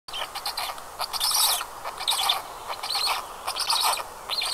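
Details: Two black stork chicks at a nest in Karula National Park, Estonia, at 19:40 on 29 May 2022, calling in two very different voices: harsh, wheezy, hissing bursts about once a second, high and rough and overlapping.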